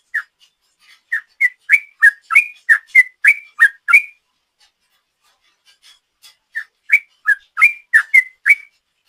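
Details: Sooty-headed bulbul ropel song, a lure recording: bursts of quick, rising-and-falling whistled notes, a dozen in the first burst, then silence before a second fast burst, with nothing else audible.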